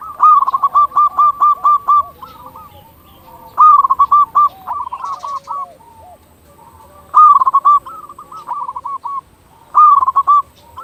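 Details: Zebra dove of a local Indonesian strain singing vigorously, used as a lure to make other zebra doves call: four bursts of rapid staccato cooing notes, each ending in rolled coos, repeated about every three seconds.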